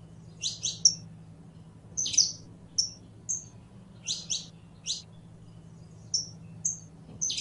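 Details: A singing canario criollo, the Saffron finch, alternates paired high chirps with thin level whistles at uneven intervals, a low hum running through.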